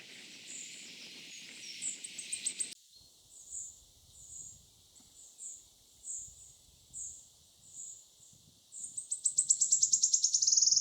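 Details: Wood Warbler singing at woodland edge, Gilfach Nature Reserve, mid-Wales, June 2024: high, thin notes repeated about three a second, speeding up into a loud, shivering trill at the end. Rushing noise covers the opening seconds.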